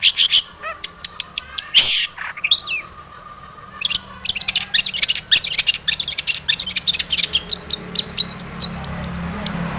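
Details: Long-tailed shrike singing a busy full song of imitated notes, played to provoke a rival into singing: dense bursts of sharp high chirps, rapid ticking runs and short whistled slides with little pause.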